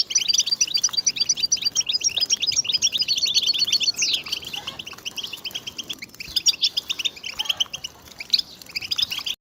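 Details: European goldfinch song intended for luring birds when hunting: a long, rambling twitter of quick high chirps, buzzy trills and tinkling notes, with a brief lull midway before resuming.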